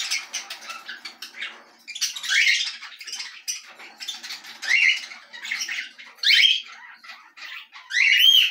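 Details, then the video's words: Belgian canary singing: an ongoing stream of high, rolling trills and scratchy chirps in uneven bursts, with a brighter whistled upslur at the end. "Canário Belga"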